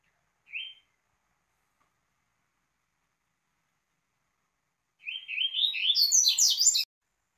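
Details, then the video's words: Double-collared seedeater performing Tui tui song meant for teaching young birds: one short chirp, a long pause, then a quick series of rising notes building into high, jumbled twittering that cuts off sharply. "Coleiro ensinando e Correção Básica Tui tui"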